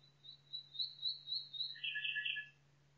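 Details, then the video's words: Nightingale in a forest singing: a long run of rising, swelling whistled notes, followed by a lower rapid chattering trill, with a quiet constant low hum behind. "Пение Соловья в лесу Singing Nightingale in the forest"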